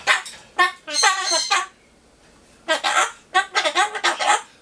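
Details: Pet Solomon Islands cockatoo, kept indoors during hot summer weather, vocalizing as if cheering for the Tokyo 2020 Olympics: short bursts of harsh, harmonic, speech-like syllables in two clusters separated by a brief pause.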